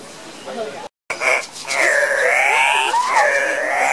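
Cock-of-the-rock calling at a lek: drawn-out, nasal, wailing squawks that rise and fall, several overlapping, after a brief break.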